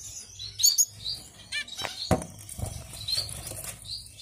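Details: Young Gouldian finches at a farm, with sharp high tweets and brief chirps between thumps and wingbeats from birds moving about, and a low background hum throughout.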